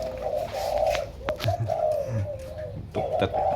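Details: Numerous zebra doves raised in captivity indoors keep up a continuous chorus of low, rapidly pulsed coos with short dips between phrases. Faint clicks and a few murmured words sit underneath.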